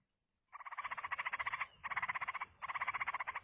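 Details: Yellow-vented bulbul chicks in the wild beg loudly as their parent feeds them, three long bouts of fast, evenly pulsed harsh rattling, each about a second, separated by short breaks.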